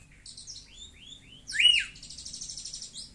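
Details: Long-tailed shrike responding to phone audio: a few thin rising whistles, then one louder rising-falling whistle, followed by a steady, rapid series of soft buzzy ticking notes.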